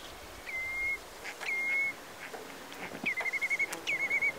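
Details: A Red-breasted merganser gives four high whistles during its acrobatic courtship display: two steady, level notes, then two quicker stuttering ones, over a soft outdoor hiss.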